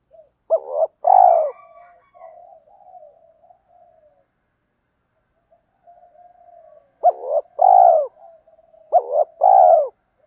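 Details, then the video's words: Male and female spotted doves giving low coos to stir up wild males and train decoy birds. A phrase opens, then after a quiet gap two more follow closely, each a clipped note then a fuller drawn-out coo. "tiếng chim cu gáy kích bổi mới và tập mồi hiệu quả"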